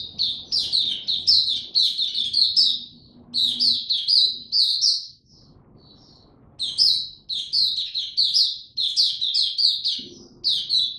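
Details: Oriental white-eye kept as a songbird, building form and singing 'buka tiong aw': loud bursts of high, sweet twittering notes strung in fast runs, broken by two clear silent gaps, with soft low background rumble.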